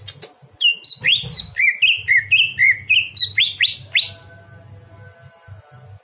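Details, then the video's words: Greater green leafbird song at night, played for training other birds: a fast run of repeated rising whistled notes around every quarter second, then a quieter fading tail with faint low hum. "masteran cucak hijau di malam hari"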